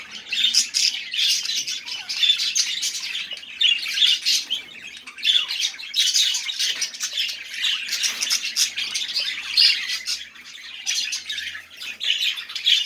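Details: Long, lively budgerigar warble mixing clicks, squeaks and raspy chirps in a near-continuous flow, with irregular louder bursts throughout about thirteen seconds.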